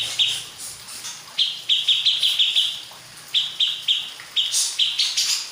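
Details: Grey-cheeked bulbul of a local Purworejo strain giving a rapid series of clear, high chirped notes, about eight in a burst, a pause, then another run of similar notes ending in brighter, shriller calls.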